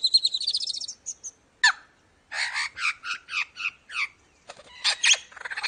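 A lyrebird's varied song: a fast high trill, then sharp metallic notes and a rapid run of loud, harsh, descending phrases, with no other sounds.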